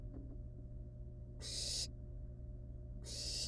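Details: Barn owl young in a wild nest, toying with live rat prey before eating it; quiet opening, then two strong rasping hisses about 1.6 seconds apart, each nearly half a second long, with background hum.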